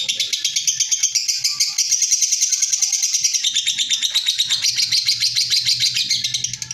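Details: Ngekek from a lovebird: a long, uninterrupted run of fast, shrill, clipped notes several per second, steady in pitch then dipping slightly, over a soft low hum in the background.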